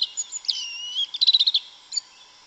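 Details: Sabiá-una or yellow-legged thrush (Turdus flavipes) singing in the forest, Brazil: a long thin whistle sliding down, then a fast pulsed trill of about eight notes and a final chirp.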